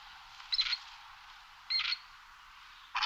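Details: Grey partridge producing two short, sharp rasping notes about a second apart against a steady faint hiss, with another rasp beginning at the very end.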